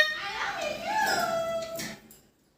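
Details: Pet parrot talking to its owner, saying "I love you" in a mimicked voice with gliding, speech-like tones over about two seconds, with music playing in a small indoor room.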